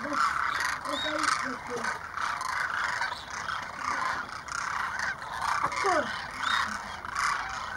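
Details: Demoiselle crane flock of roughly 2,500 birds at Keechan, Rajasthan, India, January 2016, passing overhead and landing to drink at a small lake; steady massed rolling calls, with short curved notes and one sharp downward-sliding call near the sixth second.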